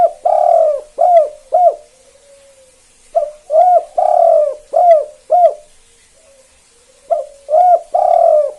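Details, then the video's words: Spotted dove, KUK 2 type, a lively caller meant to prompt other doves to answer: repeated phrases of low hooked coos and one long rough coo, separated by short quiet gaps, with faint soft trailing notes. "Tekukur KUK 2 Gacor satu ini AMPUH Banget Pancing Derkuku Lain Biar Ikut Bunyi"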